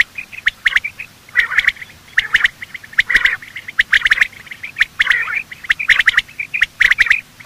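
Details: Male and female quail giving morning calls, a sound used to draw quail in when hunting: dense run of hoarse, mid-pitched chattering notes with frequent sharp clicks throughout.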